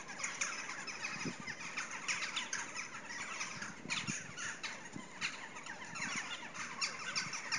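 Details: Crows gathering to roost on a dark winter evening at latitude 55: a dense, continuous chorus of many overlapping harsh squawking calls at a distance, with no single bird standing out.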